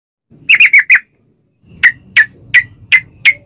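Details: Yellow-vented bulbul in lively singing used as a lure to prompt other bulbuls to sing: a quick burst of four bright chirps, a pause, then five evenly spaced sharp notes, over a faint low hum.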